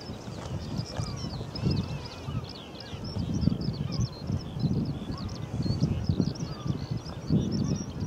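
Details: Northern gannets calling at a breeding cliff at Bempton Cliffs, East Yorkshire: harsh, low, grating calls overlap in rough bursts about once a second, with faint high chirps scattered above.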